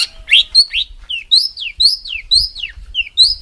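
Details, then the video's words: Sparse, clear slurred whistles from a songbird, each rising or falling, spaced about every half second, as tutor material of the 'tembakan kasar' kind for contest birds, with faint low thumps. "MASTERAN BURUNG LOMBA"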